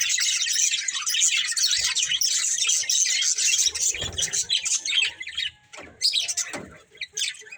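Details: Budgerigar breeding pair chirping; dense, continuous high chattering warble with rapid scratchy notes, busy and overlapping, with a few louder squawky bursts and faint low thumps near the end.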